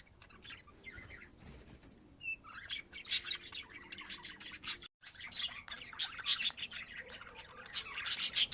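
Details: Several pet budgies chattering: a dense stream of scratchy warbles, chirps and short squawks, high-pitched and continuous, with a brief silence in the middle.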